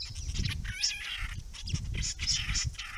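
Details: White-browed babblers, restless, noisy and querulous, at a pond in a Curlew protection area with native grasses and open understory, fenced from kangaroo grazing. Up to seven seen at once. Harsh, scratchy chattering bursts repeat throughout over a low rumbling background.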